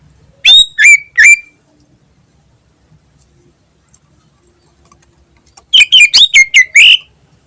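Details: Lure recording of a Greater green leafbird in vigorous 'gacor ngentrok' song: three ringing slurred whistles, a long silence, then a rapid cluster of six harsh, overtone-rich notes.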